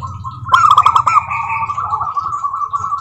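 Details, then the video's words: Native zebra dove singing as a lure for other doves: quiet coos, then a sudden loud rattle of quick notes sliding into a long sustained cooing phrase. "Suara Burung Perkutut Lokal Gacor OBAT MACET BUNYI, pancingan perkutut agar bunyi jamin NYAUT EMOSI"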